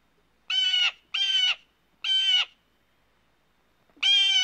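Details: A blue jay calling in the wild gives four harsh, nasal jeer calls, each under half a second, three in quick succession and then one more after a pause.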